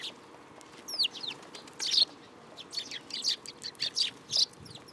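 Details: Sparrows arrive to be fed at a Tenmangu shrine on 10 July 2022. A quick downslurred note opens a loose series of high, sharp chirps that grows busier toward the end.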